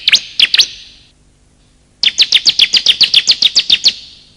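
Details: Bar-winged prinia, male and female calls for luring: a few sharp high notes, a pause, then a fast steady series of about twelve repeated chirps at roughly four per second.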